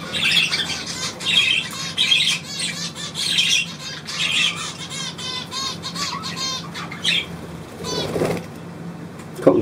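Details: A pet bird trills on command: a run of chirped phrases speeds into a rapid rattling trill, then a few sharp squeaks and a thump near the end.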